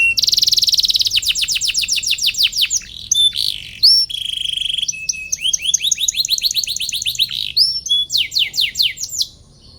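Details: Gacor canary singing to provoke opponents to reply: loud opening trill, cascades of falling chirps, short whistled notes and varied quick phrases in a long varied song.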